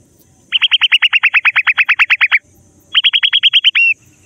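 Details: Grey francolin (dakhni teetar) chicks playing in mud in forest: rapid runs of sharp, high, downward-sliding peeps, about eight per second, in two bursts separated by a short pause, over low rustling.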